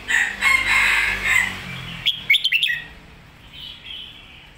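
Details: Red-whiskered bulbul in the Phat Kuai Tiao, or Mae Bot, song style. Harsh, noisy background sound fills the opening, then a fast cluster of bright, bouncing whistled notes, followed by a softer trailing note.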